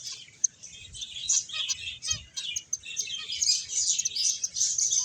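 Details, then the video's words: A group of finches at play and feeding, giving rapid overlapping high chirps in a steady chattering wash, with a soft low thump near the middle. "Cute Birds Chirping Sounds | Beautiful Finches Playing and Eating"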